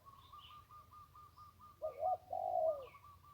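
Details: Zebra dove by the Ping River. It gives one burst of warbling, rolling coos that ends in a drawn-out note. A rapid, evenly spaced chain of whistled pips runs through the clip, with a faint low hum underneath.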